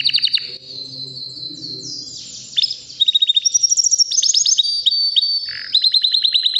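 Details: About three-year-old white canary in full song, with rapid high trills, sliding whistled notes and quick repeated chips forming long rolling phrases, some tours fast and sharp, others smoother and buzzy.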